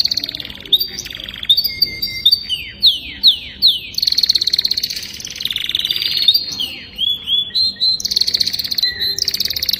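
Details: Young canary in full song, mixing rapid rolling trills, a series of descending swooping whistles, sustained buzzy tours and quick repeated chips, all high-pitched and continuous across the phrase.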